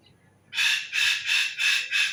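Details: Bird rapidly repeating five hoarse, scratchy squawks, about four per second, after a short near-silent start.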